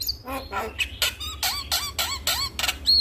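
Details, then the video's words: Male Javan myna calling to other mynas: loud harsh squawks mixed with arched, slurred whistles repeated about every half second, ending in a clear high whistle. "Jalak Kebo Jantan Memanggil KAwan Jalak Yang Dengar Langsung Respon"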